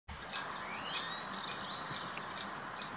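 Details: Great spotted woodpecker chick in the Botanical Garden, Munich, gives short, high, buzzy chirps about every half second, with a faint rising whistle behind and a soft outdoor hiss.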